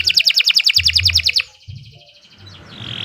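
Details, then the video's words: Canary training song with great speed; a fast trill of about fifteen bright repeated notes, then a quieter thin whistle, with low background hum. "Kicau Burung Kenari 132 II LUAR BIASA GACOR PANJANG Cocok untuk Masteran"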